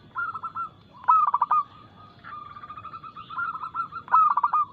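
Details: Local zebra dove (perkutut) with a fast, loud, crystalline cooing song meant to lure caged birds into song. Two emphatic bursts of rapid coos sit between gentler rolling phrases, over a faint steady hum.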